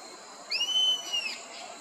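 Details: A drawn-out, whining whistle from a rusty-margined flycatcher on the reservoir margin at Parque Quineira, Chapada dos Guimarães, Mato Grosso, Brazil, swelling up and sliding down over under a second against steady background hum.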